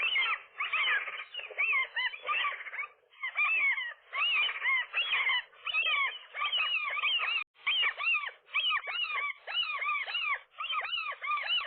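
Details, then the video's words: Roof-nesting gull pair grappling with an intruder gull, morning of 4 April 2023; strident wailing calls in bursts of about a second, each with upslurred then downslurred notes, separated by short pauses, sustained throughout. "seagulls, gull wrestling"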